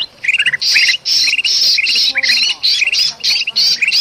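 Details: Noisy, agitated bulbul calling in Sumatran forest, a sound used to attract birds: scattered chirps at first, then steady rasping squawks every half second, each followed by short bright trills.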